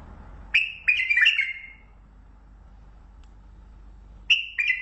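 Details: Lisanat singing from a Mandali bulbul: a short whistled phrase of three clear, slightly falling notes, then a pause of about two seconds before the phrase starts again.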